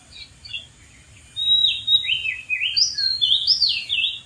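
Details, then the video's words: Oriental magpie-robin in the wild, perched on a dead tree, delivering a loud flowing song of clear whistles and slurred, wavering notes climbing then dipping, after a quiet start with a few faint chirps; constant high insect drone. "KICAU BURUNG KACER DI ALAM LIAR | GACOR DARI ATAS POHON MATI"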